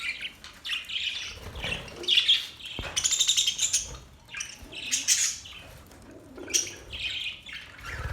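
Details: Happy pet budgies chirping: high, twittering warbles and chattering trills in uneven bursts, with brief pauses between flurries and a sharp tap near the middle.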